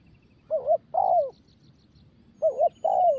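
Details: Young spotted dove being trained to coo, giving paired cooing phrases: a short wavering note followed by a longer falling coo, repeated twice in quiet surroundings.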